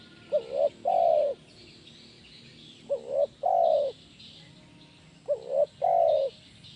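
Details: Training recording of a spotted dove's energetic "kuk 1" song. Three soft, low phrases about 2.5 seconds apart, each made of two short clipped notes and then a longer, slightly falling coo, with light hiss behind.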